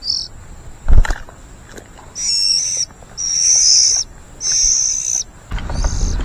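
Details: White-rumped shama chicks begging while a parent feeds them: hissy, high-pitched, sustained bursts, three close together in the middle of the recording and a fainter one at each end, with brief clicks and low background noise between them.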